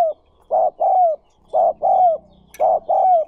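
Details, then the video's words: Spotted dove call used to train newly caught birds: three loud paired coos, each a brief hollow note followed by a longer, gently down-slurred one, spaced about a second apart with near silence between. "60 Phút Tập Chim Cu Gáy Bổi Mỗi Ngày"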